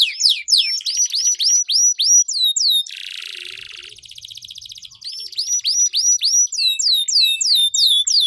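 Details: Two duelling canaries singing long rolls, used as a lure to spur silent canaries to sing: repeated high downslurred whistled notes, a dense buzzy trill mid-phrase, then rapid swept notes resuming.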